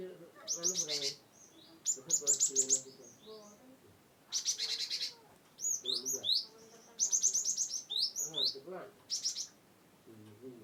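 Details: Cinereous tit from Wonosobo, played so that quiet birds start singing. Several bursts of high, rapid chirping notes alternate with pauses, over soft lower background sounds.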